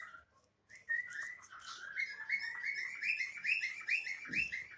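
A cockatiel sings a run of rising whistled notes, repeated quickly and steadily.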